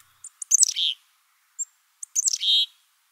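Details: Male Black-capped Chickadee gives two rapid, jumbled gargle calls about 1.5 s apart, aggressive calls for dominance and territory defence, heard midwinter to spring and in fall; each a half-second burst of high chips sliding into a buzzy descending slur.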